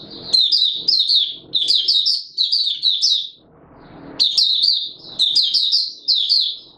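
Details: Open singing by a Mata Puteh Raja white-eye in warm humid weather, 20 March 2022: chattering high slurred notes in quick groups, a pause with faint rustle, then renewed bursts.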